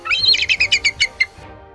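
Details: Loud, somewhat shrill bald eagle voice: a quick chattering burst of high piercing notes, then about five separate sharp chirps spaced evenly and weakening, ending abruptly, with faint music beneath.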